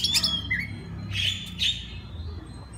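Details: Oriental magpie-robin in a master recording for other magpie-robins: short harsh raspy notes with a quick whistle, then two longer scratchy squawks, over a low hum.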